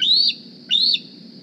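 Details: Young Decorah bald eagle D36 arriving at the nest one morning, squeeing for food: a pair of piercing upslurred whistled squeals, each ending in a short drop, with a steady low background rumble.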